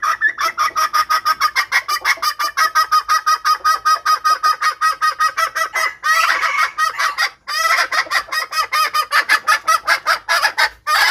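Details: Female red junglefowl call meant to lure wild males. Quick, even clucking repeats throughout, with a harsher, denser burst midway before the rapid clucks resume.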